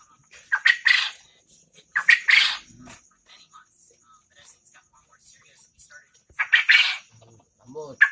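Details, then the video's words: Quail from Lombok, a gacor (vigorously calling) bird prized in competitions, giving harsh, broadband paired bursts of calls roughly every second or two, separated by quieter stretches with faint scattered sounds. "Burung puyuh gacor asli LOMBOK"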